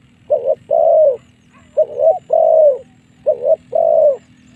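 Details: Spotted dove lure calling to draw wild doves into fights: three clear pairs of deep soft coos, each a short note followed by a long drawn one, roughly every 1.5 seconds, low hum behind.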